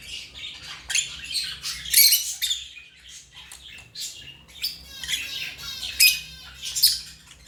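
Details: African lovebirds chattering with shrill, high squawks and rapid chirps in bursts, several loud peaks close together, some overlapping, with no other sounds.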